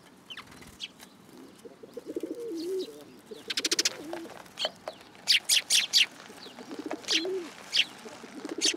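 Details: Sparrows perching on an outstretched hand at a Tenmangu shrine, 8 July 2022. Loud, rapid high chirps come in a burst of about five notes, with scattered others, while a pigeon coos softly and low beneath them.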